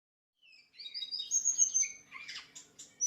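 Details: White-rumped shama song used as a masteran training recording for other birds: a clear, varied run of high whistles and sweeping notes, with quick buzzy trills and chips in the second half, ending on a sharp note.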